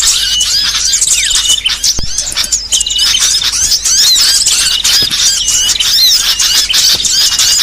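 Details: Varied small-songbird material meant for training songbirds: busy overlapping twitters, sharp chirps and short whistled slides, continuous and high-pitched, with occasional soft clicks underneath.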